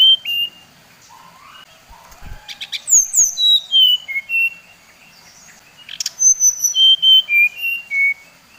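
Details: Brown-chested jungle flycatcher, Bali bird, singing to rouse rival birds: two phrases of sweet whistled notes, each cascading from high to lower pitch in quick steps, with a brief short opening phrase and a pause between.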